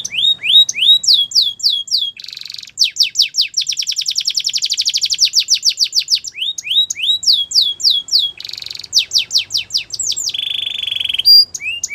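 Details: Russian canary singing a varied song: rapid series of downward-sweeping whistled notes, a buzzy rolling trill, then a long fast rattle of clicks, more swept notes and a steady pure whistled tour near the end.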